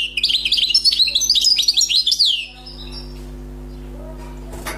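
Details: Newly caught wild European goldfinch singing a fault-free song: about two seconds of fast, tinkling, twittering notes jumping up and down, then fading out into quiet room hum with a faint click at the end.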